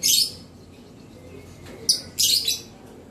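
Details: Gloster canary recorded on 21 June 2020: bright, high-pitched scratchy chirp bursts, one at the start, a sharp short note just before two seconds, then a longer ringing burst, with a low steady hum between calls.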